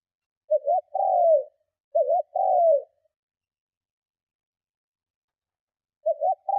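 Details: Spotted dove cooing hard to draw in and provoke other doves. Two quick low phrases come close together, then a pause and a third. Each has a clipped double note and a long descending coo.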